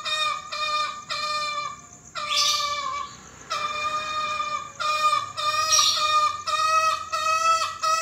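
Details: Green junglefowl crowing, entered in a 2020 crowing contest: loud harmonic calls repeated in runs, each segment roughly half a second to a second, with short gaps, buzzy bursts and brief pauses between runs.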